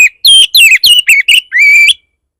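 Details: Provoking song of a fierce Oriental magpie-robin, played so that other magpie-robins answer. A tight run of loud whistled notes drops in pitch, closing with a sustained, slightly wavering whistle.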